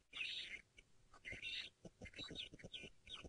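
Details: At sunrise, 5:30 AM on 2 February 2018, in Djuma, Sabi Sand, South Africa, francolins give harsh, scratchy half-second bursts about every second, with foam nest frogs clicking softly underneath and scrub robins also calling.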